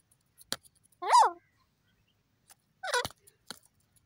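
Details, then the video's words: Desi teetar, a francolin, giving its call: two short, nasal, wavering notes about two seconds apart, each bending down then up, mixed with sharp clicks and taps. "desi teetar ki funny awaz"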